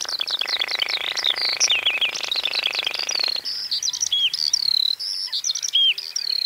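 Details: Baillon's crake in summer in the Zuidlaardermeer area, where several pairs bred and one pair raised at least four young. A dry, rapid, even rattle runs for about three seconds beneath busy, chattering, high songbird song.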